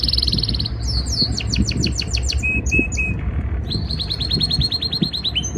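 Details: Canary in breeding season singing to impress a female: a buzzy trill, a rapid run of descending sweeping notes, three flat whistles, then another quick series of rising-falling notes, over low background noise.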